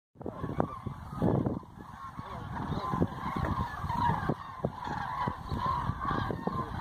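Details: Huge flock of Common Cranes on roost flight over Hortobagy National Park, 2 November 2016, with tens of thousands present. Overlapping trumpeting calls form a dense chorus, and frequent low thumps and rumbles, possibly wind, run underneath.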